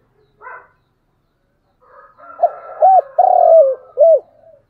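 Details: Spotted dove decoy call at morning, played to pull wild doves in close: a short knock, then a faint whine under one phrase of stuttered coos, a long downslurred croo and a crisp closing coo.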